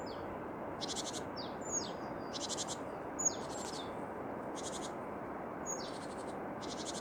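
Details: Song of tits: buzzy, rattling bursts repeated roughly every second, interleaved with short high whistles and descending slurred chips, steady hiss behind.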